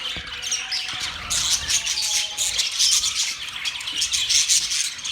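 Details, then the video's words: Birds chirping on October 3, 2023, their high chatter growing louder after the first second into a thick mass of squeaky, overlapping calls. "Birds chirping sounds"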